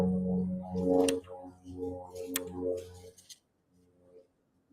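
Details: A person speaks indoors for about three seconds, followed by quiet with faint low noise.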